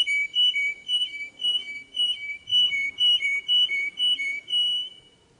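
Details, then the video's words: Young birds' tutoring song from a canary: clear whistled two-part syllables repeated in an even rhythm of about two per second, bright and tonal, over a faint low background. "Chant Canari Super Pour l'écolage des jeunes sans fautes"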